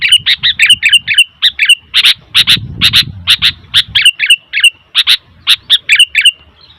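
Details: Sooty-headed bulbul calling noisily in a fast, even series of short chirped notes, about three per second, with a brief low rumble in the middle.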